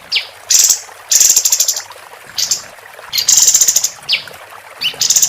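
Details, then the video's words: Female capped white-eye in lively song, kept as a tutor recording for contest birds: short rising whistled slurs alternating with bright, buzzy high chattering bursts, separated by brief pauses. "Kapas Tembak Betina Gacor"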